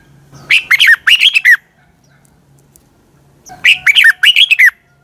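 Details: A red-whiskered bulbul's morning song for training birds: two phrases of about a second each, made of rapid chirpy slurred notes with a wavering whistle, separated by a two-second quiet gap and faint hum.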